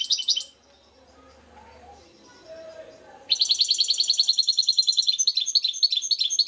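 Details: A brief chirp and soft talking in the background, then a European goldfinch, called a baster or mule, launches into a sustained rapid chattering song of high, sharp, rhythmic notes with occasional twanging accents.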